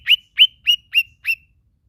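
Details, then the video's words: Lesser green leafbird uttering five clean, rising chirps spaced about 0.3 seconds apart, each a bright upward-slurred note, with no other sounds. "bunyi khas cak ijo mini"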